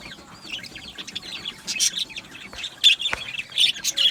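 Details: Budgerigars chirping in an aviary: soft curling warbles at first, then louder sharp chirps and squeaks bursting out in the second half.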